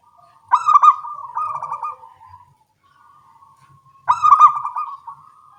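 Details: Two bursts of zebra dove song about three and a half seconds apart, local birds answering each other in the morning: bright, rapid, stuttering coos that trail off into a soft level note.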